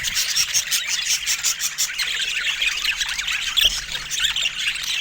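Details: Pet budgerigars in a noisy group, constant high-pitched squeaky chirping and warbling from many birds at once, one brief sharper squeal standing out.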